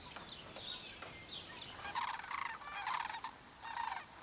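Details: Thousands of migrating sandhill cranes in farm fields on the Pacific flyway, Oregon and Washington; faint thin whistles at first, then a burst of repeated rattling, trilled calls from the second second onward.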